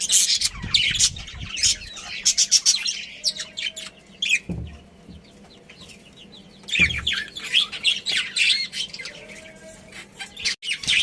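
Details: Budgies, a breeding pair and family, give two spells of rapid scratchy high twittering with a quieter stretch between, plus a few low thuds.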